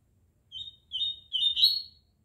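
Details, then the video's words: Collared seedeaters stirred up ahead of the following day's song tournament: three short phrases of high, thin whistled notes, the last one rising into a rich buzzy flourish. "COLEIROS FALCONE E CAVEIRAO NA MEXIDA PARA O TORNEIO DE AMANHA"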